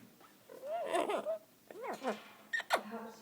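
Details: A 17-year-old pet Amazon parrot said to love singing, giving rising and falling warbled notes in short bursts, with a person's voice nearby.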